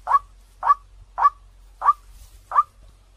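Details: Five short, loud, harsh notes from a white-breasted waterhen lure recording, evenly spaced about half a second apart, over a quiet background.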